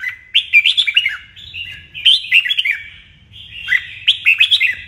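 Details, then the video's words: Red-whiskered bulbul singing a morning training song: three bright, warbling whistled phrases, each about a second long with quick rising and falling notes, repeated every couple of seconds over a faint low hum. "Luyện chào mào hót sáng"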